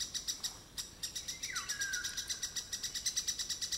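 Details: Lesser spotted woodpecker in Białowieża: a fast, even series of high, sharp notes, about six a second, with one brief downslurred whistle from another bird.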